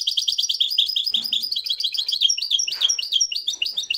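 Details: Moroccan goldfinch, a European goldfinch, in a live recording reviving its song tradition: continuous fast liquid twittering and trills throughout, dense repeated notes with no pause.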